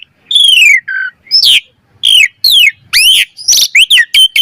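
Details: Jalak suren, or Asian pied starling, gives a training lure song of loud downslurred whistles and upswept notes in separate phrases, ending in quick paired chirps.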